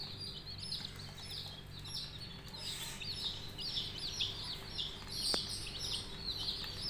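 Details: Coloured budgerigar chicks chirp steadily, many high, downward-curving squeaks overlapping almost without pause, with one sharp click near the end and a low hum beneath.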